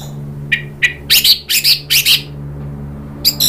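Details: Orange-headed thrush provoked into agitated calling: two thin clicks, then a rapid series of loud rasping, scratchy notes in pairs, and another harsh burst at the end.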